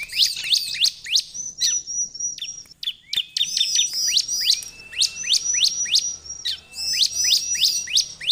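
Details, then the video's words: Bar-winged prinia song meant to draw in wild prinias: dense high chirping, a drawn-out flat whistle, a short gap near three seconds, then regular sharp down-slurred notes repeated briskly. "KOMPILASI suara ciblek untuk pancingan ciblek dan suara pikat ciblek || ciblek gacor"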